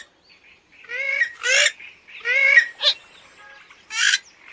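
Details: A purple swamphen's wavering, nasal honking, several drawn-out buzzy notes rising and falling in pitch, with one shorter harsh squawk near the end.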